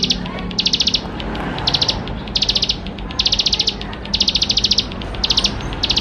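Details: Bar-winged prinia in vigorous, richly varied song, used to prompt young birds to sing quickly: short, high, rapidly pulsed buzzy bursts repeated roughly every half to one second over a low background hum.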